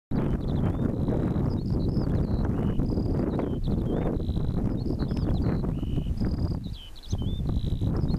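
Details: Pipit in song flight over a field, May or June 2014: high, thin notes repeated in short series, some flat and some slurred, steady throughout, over heavy low rumbling wind noise.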